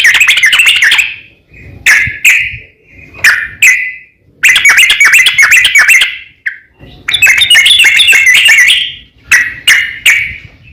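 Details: Yellow-vented bulbul giving its provoking 'ropel panjang' song that draws answers from rival bulbuls: bursts of busy, chattering whistled notes separated by short pauses and a few isolated single notes.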